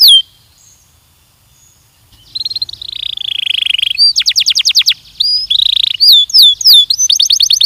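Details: A Belgian canary's training song begins after a two-second silence: a buzzy trill, fast rattling chips, twisting whistled notes and a closing rapid trill.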